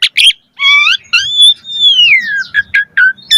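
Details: ["Jalak suren, the Asian pied starling, in 'mompa' variation song: a few squeaky chirps, then a long clear whistle that rises and slowly glides down, followed by short sharp notes."]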